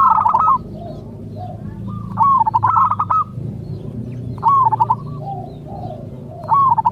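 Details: Loud phrases of quick, stuttering coos ending in a trill come from a local zebra dove singing to make other zebra doves respond. Faint, lower cooing notes fill the gaps between phrases.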